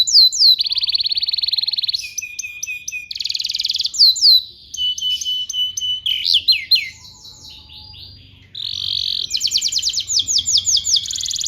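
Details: Canary in continuous song, used to train young canaries to sing: rapid rolling trills alternate with sliding whistled notes and quick repeated upward chips. The song changes pattern every second or two.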